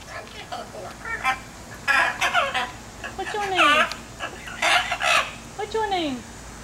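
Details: A blue macaw talks, saying "pretty girl" and "bye", in hoarse, harmonic, word-like bursts with falling sweeps, about a dozen short phrases in quick, uneven succession.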